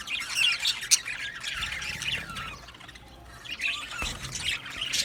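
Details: Australian budgies singing and chirping in an aviary colony: moderately quiet, raspy warbling chatter with squeaky squawks, a lull in the middle, then renewed chirping near the end.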